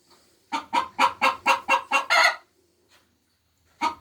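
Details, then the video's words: Egg-laying hen cackling with six quick rasping clucks followed by a longer squawk, then a brief quiet gap and one more cluck. "Sounds of 🐓Chicken's Laying Eggs 🥚🥚"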